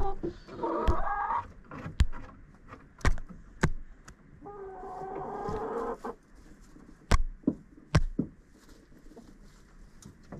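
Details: Chickens inside a coop on a GoPro: two drawn-out harsh squawks separated by sharp knocking and pecking clicks, with low rumbling handling noise throughout.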